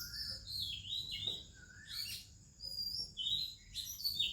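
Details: Oriental magpie-robin singing in the morning among other birds: bright, varied whistled phrases with quick downward slurs and sharp high notes, separated by short pauses, over a faint low background hum.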